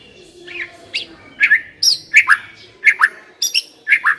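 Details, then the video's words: White-rumped shama singing as a lure for a caged shama: notes come mostly in quick pairs, a high sharp note followed by a lower downslurred whistle, repeated about every half second. "Pancingan suara burung murai batu agar cepat bunyi dan ngeplong"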